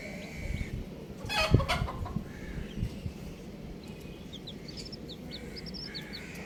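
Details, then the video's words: Colourful baby chicks: a sharp knock and clatter, then a run of high, rapid peeps in the last seconds, with mid-pitched buzzy tones and low rumble. "Colourful Baby Chickens | Cutie Chicks Chirping Sounds"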